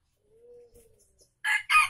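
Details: Junglefowl from Aceh, Indonesia, in a lure recording for wild birds: a faint thin whistle first, then the loud harsh opening bursts of a crow that is cut off at the end.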